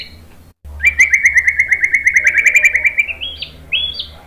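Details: White-rumped shama delivering a long, even rattle of about twenty quick notes, then rising to a few higher whistled flourishes.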